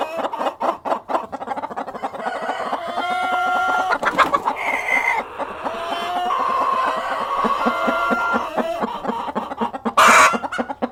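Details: Cockerel and hens clucking together, with dense overlapping harmonic clucks, a few longer level tones, and sharp broadband bursts like wing flapping near the end.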